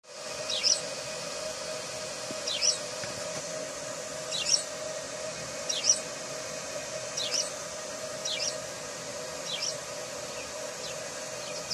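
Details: House sparrow giving short, sharp chirps spaced irregularly about one to two seconds apart. The chirps are fairly faint against a steady low hum and background hiss.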